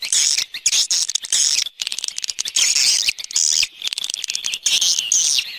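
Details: External swiftlet sound recorded for 2020: shrill, hissing twitter phrases alternating with rapid clicking runs, the high chatter rising and falling in bursts of about a second.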